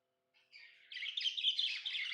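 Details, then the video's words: Happy pet budgie indoors starting with a soft twitter, then swelling into dense, continuous buzzy chattering warble. "Happy budgie chirping sounds"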